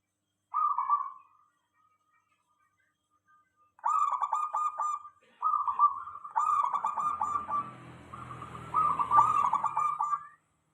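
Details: Local zebra dove calling as a lure for other doves: a short coo, a long pause, then a run of four or five bubbling, pulsed cooing phrases in quick succession, with some low background noise late on.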